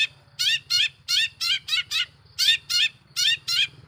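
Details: Harsh lure song of a long-tailed shrike meant to rile other shrikes: grating double notes repeated steadily, roughly one pair every half second, with a low droning hum throughout.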